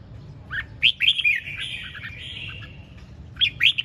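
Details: Red-whiskered bulbul singing ché chẻ style: sharp rising chirps, then a long wavering warble, then another run of loud clipped notes; low background hum throughout.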